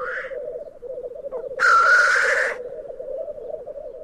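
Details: Black grouse at a lek at Glen Tanar, recorded from a photography hide: a steady, low, dove-like bubbling runs on without a break, cut by one loud, harsh hissing sneeze lasting about a second.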